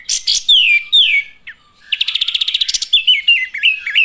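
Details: Chirping olive-winged bulbuls: slurred, descending whistles first, a short pause, then a rapid string of bright chirps that gives way to warbling, up-and-down notes.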